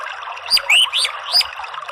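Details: Orange-headed thrush singing a few quick slurred whistles that sweep up and down, fairly soft against a steady hiss with faint low thumps.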